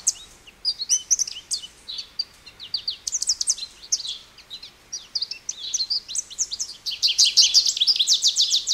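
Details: American Goldfinch singing: a lively run of high, thin twittering notes and chirps in rapid irregular bursts, building to a dense, fast chattering trill near the end.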